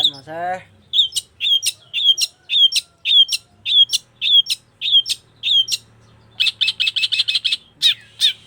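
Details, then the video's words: Long-tailed shrike singing: a short rising rattle, then evenly spaced sharp chip notes about twice a second, ending in a fast burst of clustered harsh notes. "Burung cendet gacor"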